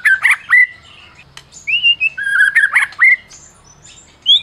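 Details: White-rumped shama of the Medan type, a champion caged bird, singing to goad silent shamas: harsh chattering bursts mixed with smooth rising and falling whistled slurs, separated by brief quiet gaps.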